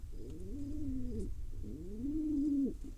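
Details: Wild pigeon chick in Israel begging while its father feeds it: two drawn-out, squeaky whistled calls, each swelling and arching in pitch then dropping sharply at the end, over low background rumble.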